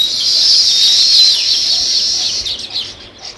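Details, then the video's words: Intense sparrow chirping, many notes run together into a steady high chatter, then breaking into a few isolated chirps. "Natural Sparrow View and Sounds | Chirping Sounds"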